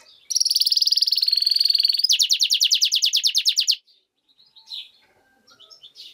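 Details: A goldfinch-canary hybrid sings a bright, rapid high trill that changes into a faster run of clipped repeated notes for over three seconds, followed by quiet faint calls.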